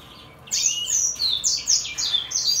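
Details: A 2022 brimstone canary and greenfinch hybrid sings a run of high, bright twittering phrases, each a quick downward sweep, about two per second after a brief quiet start.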